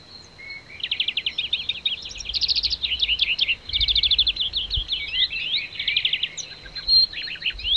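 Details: Wild European greenfinch singing in nature: a lively run of rapid, dry trills and twittering chirps, each burst a fast ladder of high notes, strung together almost without pause over a faint low background rumble.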